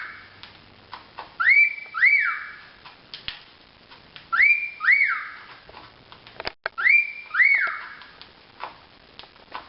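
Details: A pet cockatiel gives paired, sharply rising whistles that level off, repeated in three bursts.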